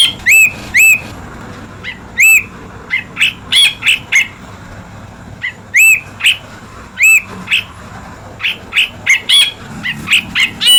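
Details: Ashy bulbul (brinji kelabu) mixing loud clear upslurred whistles with quicker, softer chirps, delivered irregularly with short gaps over about ten seconds.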